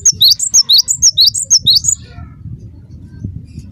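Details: Cinereous tit (gelatik batu) giving an active lure call meant to make other birds of its kind answer: about ten clear, high whistled notes alternating in pitch, delivered rapidly over two seconds, then low background hum.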